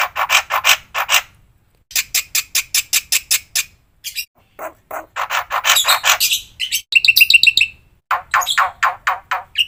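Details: Varied training song of a black-winged myna for tutoring other birds: rapid bursts of raspy chattering notes, broken by short pauses and a few clear whistled tones.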